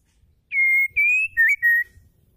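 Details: Female white-rumped shama (murai batu betina) singing to stimulate males to sing: four clear, loud, sustained whistles, the third dipping then rising, in a quiet setting.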